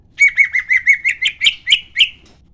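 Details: Greater green leafbird, a kept songbird, singing an energetic lure phrase: ten quick ringing whistles on a steady pitch, the later ones louder, harsher and more buzzy, evenly spaced roughly four per second.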